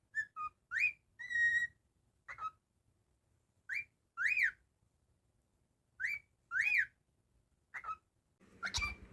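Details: Cockatiel kept as a pet, singing a whistled tune: repeated rising and falling slurred notes, each phrase returning every couple of seconds, with a brief noisy burst at the end.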